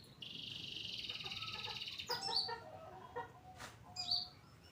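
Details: Long-tailed shrike, pastol variety, singing actively as a training recording for other birds: a long buzzy high trill, followed by quick chattering notes and a few sharp whistled chips.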